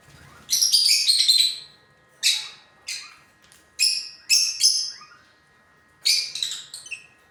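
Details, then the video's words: Lutino lovebirds, pet parrots, chattering in rapid shrill chirps, a long tumbling burst at the start followed by clusters of quick squeaky notes and short pauses. "lutino love birds"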